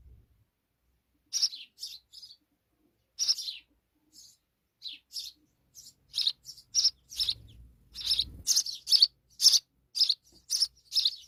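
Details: Sparrow chicks in Pakistan being fed insects by their mother as she returns quickly to the nest: high, thin chirps, sparse at first, then coming in rapid, uneven bursts, with a brief low rumble partway through.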